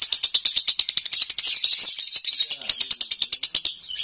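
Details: Lovebird kept at home delivering konslet nonstop song: quick, high, rattling chirps strung continuously, a slightly denser, smoother passage in the middle.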